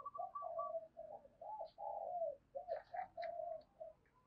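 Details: Fighting call of a spotted dove used as a decoy to spur rivals: a string of soft, low coos run together in uneven phrases, with faint background sounds.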